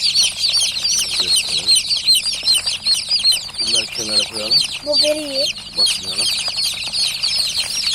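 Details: Many newly hatched chicks give loud, rapid, high-pitched peeps in a continuous overlapping chorus, while a man speaks a few words in the middle.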